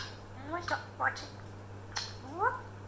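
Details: Pet African grey parrot indoors talking in conversation with its owner: short voice-like phrases with rising harmonic glides, separated by pauses, over a steady low electrical hum, with human speech nearby.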